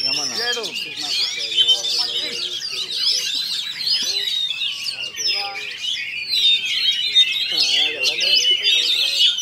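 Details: Oriental magpie-robin competing at a singing contest in Kinali, Pasaman Barat, winning first place; fast, energetic song of scratchy trills and bright whistles without pause, over steady human talk.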